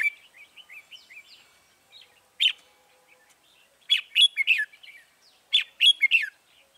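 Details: Wild red-whiskered bulbuls lured by a decoy bird on 21 January 2018: quiet chirps give way to repeated loud phrases of slurred warbling notes separated by short pauses.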